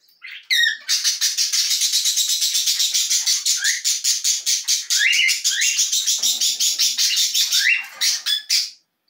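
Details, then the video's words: Belgian canary singing a long, fast, rolling trill of rapid high pulsed notes lasting about seven seconds. A few short rising whistled slurs are woven through it, and sharp chirps close the phrase. "Canário Belga"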